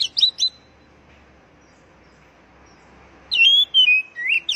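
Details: Oriental magpie-robin song played to get caged birds singing. Three quick sharp chirps, a quiet pause with faint hiss, then loud sweet whistles sliding down and a rising twisted phrase.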